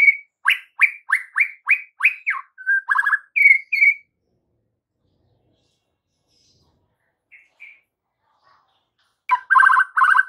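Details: White-rumped shama song as an afternoon lure for juvenile birds to reply; fast strings of sharp down-slurred whistles and rattles, a long silence with two faint notes, then a dense buzzy burst.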